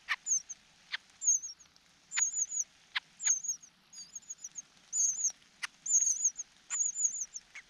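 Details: Young cuckoo begging from the foster parent that feeds it, the chick unable to swallow: rapid series of very high, thin trilled squeaks about once a second, broken by sharp clicking taps.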